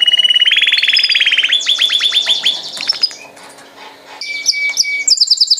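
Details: A canary sings a rapid buzzy trill followed by a quick series of high chipping notes, then fades into quieter scattered tones and a sharp high whistle, ending with a bright buzzy burst. A steady low hum is present.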